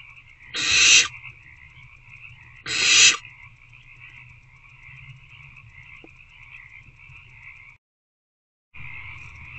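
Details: Hungry owlets in a nest box attempt to eat a rodent at 8:13 pm, 26 February 2024: two breathy screechy hisses two seconds apart, then a long stretch of steady humming background and a brief dropout.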